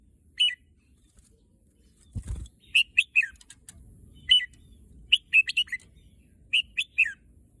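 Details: Caged red-whiskered bulbul from Thailand, a contest bird said to long for the competition field, sings scattered bright warbling phrases of two to four slurred notes, with a brief low thump partway through.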